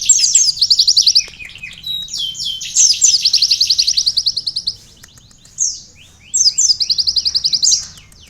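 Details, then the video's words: Sunbird song used to tutor caged birds: loud, high, rapid trills of evenly repeated notes, several long phrases with brief twittered notes between them, very clear and close. "asli suara burung kolibri isian"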